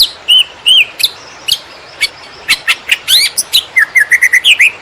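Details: Greater green leafbird singing konslet-style as a tutor recording for other birds: paired clear whistled notes, then sharp clicks and a quickening series of rising and falling slurred whistles.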